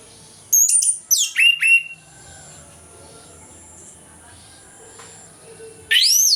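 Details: Orange-headed thrush singing in the morning in ngeplong style, a recording used to stir lazy birds into song: a burst of high, sharply slurred whistles and falling notes, a long pause, then a bright rising whistle.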